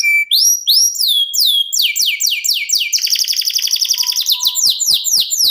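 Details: Canary in continuous 'ngerol' song: a short pure whistle, then looping descending whistled notes, a fast buzzing rattle, and more quick downward sweeps, with faint clicks in the background.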